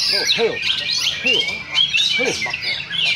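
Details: Oriental magpie-robin, caged, singing in a practice singing contest duel at Sindanglaut, Indonesia; loud, rich, warbling phrases of fast whistles and trills, overlapped by shouting crowd voices and other competing birds.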